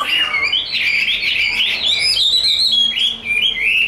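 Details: Dense, rapid warbling of a tame, large-bodied caged Chinese hwamei in đấu xòe fighting display, scratchy trills mixed with clear whistled notes over faint background noise.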